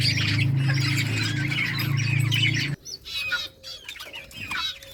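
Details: A group of playing budgerigars during summer breeding, August 2023: busy high chirps over a loud low hum that cuts out halfway, leaving clearer scattered chirps and short warbled notes.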